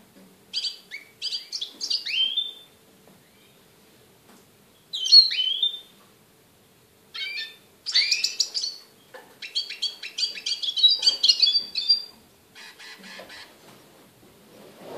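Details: A young goldfinch × canary hybrid, hatched 21 February 2013 and trained in song with a special CD, sings bright, twittering phrases of quick high notes and short trills.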